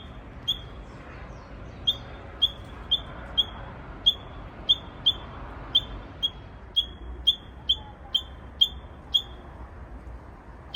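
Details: ['Possibly immature Japanese bush warbler practising a strange song: a long run of about fifteen brief, clipped high whistles, each starting with a steep drop, repeated at uneven intervals of roughly half a second, with quiet low hum behind.']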